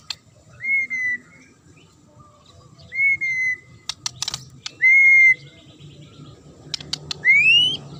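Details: Sharp song of a magpie-robin, meant to make other birds answer and rage: clear whistled notes near the same pitch, each held briefly and sometimes rising, spaced about two seconds apart, with dry clicking bursts between.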